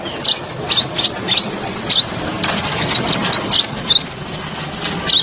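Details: Sunbird (kolibri ninja) giving a series of sharp, high, slightly rising chirps, roughly two per second in a fairly steady run, with steady background hiss, as masteran tutor song.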